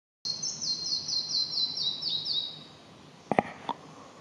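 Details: Red-breasted flycatcher singing: a clear run of about ten quick, high, ringing notes repeated evenly over two seconds, gradually stepping down in pitch, followed by a few sharp clicks.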